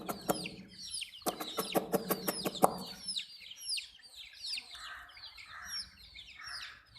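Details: Chicks at drinking water: a burst of rapid knocking clicks opens, then clear high falling peeps repeat from several chicks alongside softer mid-pitched chatter.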